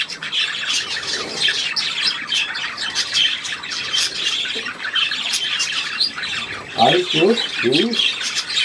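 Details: Recorded 3 April 2017, a budgerigar chatters in a continuous high, buzzy warble; near the end, three short lower harmonic bursts stand out.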